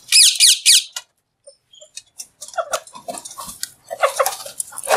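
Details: Alexandrine parakeet kept in a cage, talking while eating; three loud, rasping high screeches open, followed by soft chatter, squeaks and clicking feeding noises.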